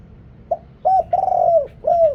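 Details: Deep-voiced spotted dove used to call wild doves in Thailand, noise removed: a short soft note, a hollow hoot, a long purring coo and a final falling coo, close and clear.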